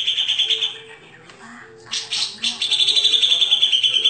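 A Grey-cheeked bulbul pours out dense, high, rapid chattering bursts, about three notes a second, with one brief pause midway.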